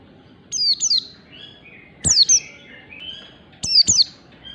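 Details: Oriental white-eye morning song recorded for training pet birds: three bursts of paired high whistles, each note dropping steeply in pitch, spaced about one and a half seconds apart, with softer short tones in the gaps.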